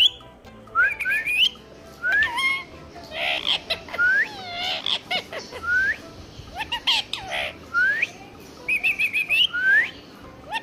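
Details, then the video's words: A pet green Indian ringneck parrot (rose-ringed parakeet), male, whistling and talking in a happy mood: clear upward-sliding whistles, roughly one per second, mixed with a few harsher squawky bursts. "Indian ringneck parrot || parrot whistle"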